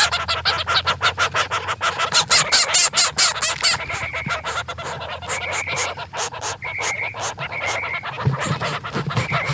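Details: Chickens, chicks while feeding: rapid high peeping notes, some short flat whistled peeps repeated at irregular intervals, over dense clicking and tapping throughout.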